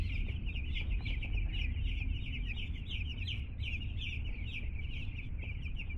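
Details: Two-day-old chickens, delivered to a home, calling in a loud crowded chorus of short high downslurred peeps, closely packed and unbroken, over a strong low-pitched hum.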